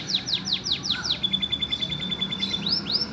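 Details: Lovebird-filled song from a green canary: quick descending whistled sweeps, then a fast level trill of tiny notes, closing with two rising, arching slurs.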